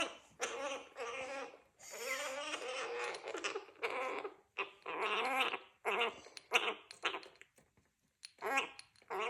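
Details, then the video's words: Young male Gang-gang cockatoo, 3.5 months old, chattering after flight training and drinking water: a run of throaty, wavering, voice-like phrases, some drawn out, some clipped, with brief pauses, in a small room. "Bird getting drunk on water 😂 too chatty!"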